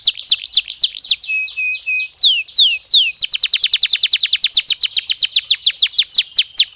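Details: Canary singing to spur breeding: looping slurred whistles, a few flat tones, then a fast, even trill of sharp downward sweeps continuing to the end.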